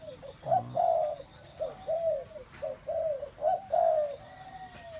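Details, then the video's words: Many spotted doves calling together, giving a run of short, husky, arched coos that repeat at an uneven pace over a soft background murmur. "tiếng chim cu gáy"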